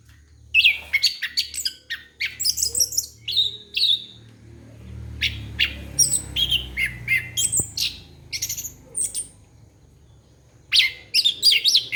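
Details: Orange-headed thrush song played to lure young birds: loud, varied bursts of sharp whistled and squeaky notes in quick clusters, pausing briefly between phrases, with low hum underneath.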